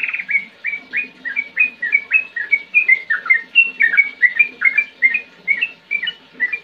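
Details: Trucukan, the sooty-headed bulbul, delivering a steady, lively song throughout: clear whistled notes, each slurred up or down, repeated roughly every third of a second in an unbroken chattering series.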